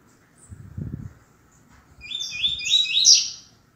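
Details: Double-collared seedeater (coleiro) singing in the tui tui zel zel style, a deep 'canto grosso' song used as a master song for teaching males; a rapid run of bright, buzzy, high notes over about one and a half seconds, after soft low thumps.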